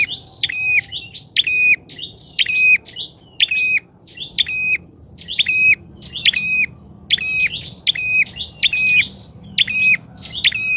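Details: Bar-winged prinia used as a lure bird, very vocal with a loud voice that keeps wild prinias from approaching; sharp, strident chirps with clicking overtones repeat roughly once a second in steady bursts over a faint low rumble.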